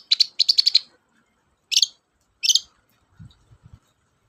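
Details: Long-tailed shrike chatter meant to provoke silent shrikes into singing: quick stuttered harsh notes, then two separate rasping bursts, with faint low knocks at the end.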